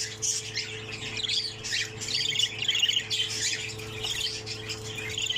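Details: Budgerigar chick of the pseudo Texas opaline mutation, sole one still in a nest that held six, giving dense harsh chirps and squawks in quick overlapping bursts, with a faint steady hum beneath.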